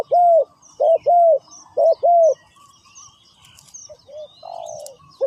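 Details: Spotted dove decoy cooing to call in wild doves during trapping: mellow, low cooing phrases, a short note followed by a longer drawn coo, repeated about three times, then softer notes with faint high chirps of other birds.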